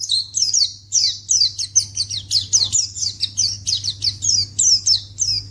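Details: White-eye calling to provoke a response from others of its kind: a rapid, unbroken run of high, descending chirps and twitters, roughly three per second, over a constant low hum.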